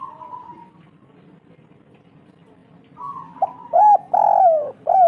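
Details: Lure song of a local spotted dove used to set other doves singing: a faint steady tone and low background rumble, then loud hollow coos begin near the end, one long drawn-out falling note between shorter ones.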